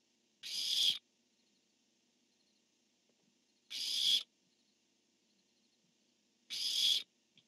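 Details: Male and female barn owls at a nest camera exchanging calls on 10-1-15: three hoarse, hissing screeches about half a second each, separated by roughly three-second gaps, against faint electrical hum.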